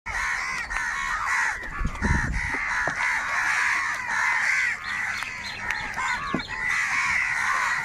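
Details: Large flock of crows fighting for food, a dense continuous chorus of harsh, overlapping caws with no pauses, some low thuds and scuffling underneath.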